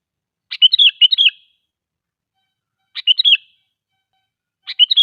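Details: Lure song of a sooty-headed bulbul for drawing other bulbuls into song; bright bubbling whistled phrases, one double phrase then two single ones, spaced by about two seconds of silence.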